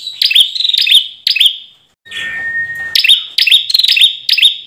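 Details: Ashy tailorbird, Orthotomus ruficeps, for bird luring and song training: brisk, shrill chipping notes in quick clusters, interrupted by a second-long plain level tone with soft noise, then more rapid piercing chips.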